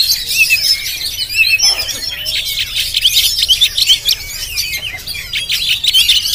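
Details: On GoPro, a Jampang Oriental magpie-robin sings a steady stream of high chattering phrases, bright whistles and scratchy notes, varied and almost unbroken.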